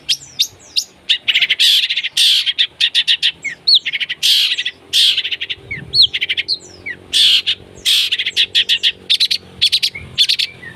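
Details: Long-tailed shrike in vigorous song: harsh, buzzy bursts mixed with sharp chirps and rising whistled notes, delivered almost without pause.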